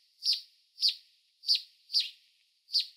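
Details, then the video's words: A canyon wren gives five sharp, buzzy, high-pitched 'jeet' notes, each dropping slightly in pitch and spaced about half a second apart, with nothing else heard. "Canyon Wren call"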